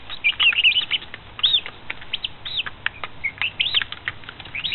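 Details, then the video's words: Chicks in their fifth week, raised at a coop in Pinckneyville, Illinois, recorded April 29, 2014; many high, rapid peeps with arched and down-sweeping shapes, overlapping and continuous, with soft wing flutters. "The Daily Peeps Show"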